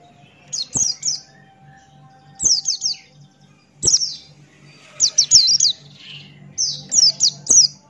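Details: Buxton's white-eye singing strongly with open beak: short groups of three or four high, sharply falling whistled notes, spaced about every one and a half seconds, with a faint low hum beneath.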